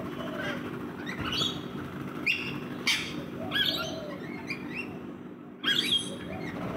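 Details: Rainbow lorikeets feeding in a backyard: harsh, screechy chattering notes in short bursts, some rising then falling, scattered unevenly over a steady low hum.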